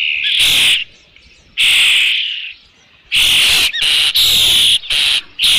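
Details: Loud piercing whistles from an Osprey at its Dunrovin Ranch nest with fish on 3 June 2018, around 5 PM; two long notes with pauses, then a fast, choppy run of shorter squeals.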